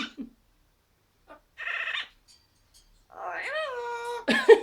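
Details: Pet Amazon parrot indoors making odd noises: a few short scratchy squawks, then a sustained harmonic tone that slides down and levels off, ending in a harsh burst; a person talks to the bird nearby.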